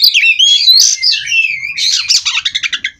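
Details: Kacer, the white-rumped shama, rolling its song without stopping: rich warbled whistles followed by a fast series of about eight sharp repeated chips.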